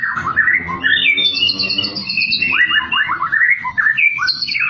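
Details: White-rumped shama in full, lively song, used as tutor and prompting song for other shamas reluctant to sing: a dense, continuous stream of varied whistled phrases, slurred rising and falling notes and quick trills, with faint low hum underneath.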